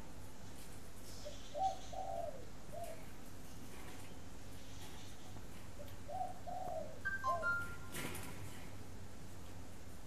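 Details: Spotted dove at a breeding aviary in Ba Vì, Hanoi, Vietnam, giving two quiet bursts of soft, hooting coos several seconds apart, with brief electronic beeps and a click against a low hum.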